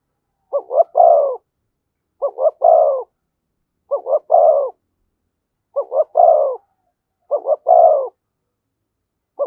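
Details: Spotted dove near a decoy bird repeating its thúc gù coo steadily, five full phrases roughly every second and a half plus the start of a sixth, each two short notes then a drawn-out coo.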